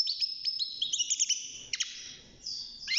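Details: Young caged European goldfinch, six months old, starting to sing; high twittering notes and sustained thin tones, a break mid-clip, then rising slurred notes at the end.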